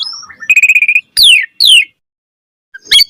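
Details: Asian pied starling singing varied material meant to provoke other starlings: a thin high whistle, then a rapid stuttering series of buzzy notes, two loud downward-slurred whistles, a pause and a short sharp burst.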